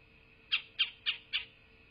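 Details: At a southwest Florida nest on 8 November 2023 around 12:47, a bald eagle utters four rapid, thin, high chirping squeals in a tight even series, with a low electronic hum throughout.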